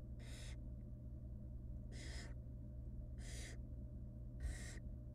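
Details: Four evenly spaced, noisy hissing screeches, about one every 1.2 seconds, from wild barn owl nestlings being fed tiny rabbit pieces by their mother in a nest box; steady low hum underneath.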